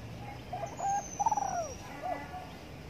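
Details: Spotted dove cooing in morning sunshine: a steady low note, a longer pulsing coo that drops away, and a brief final coo, with a faint high drawn-out whistle in the background.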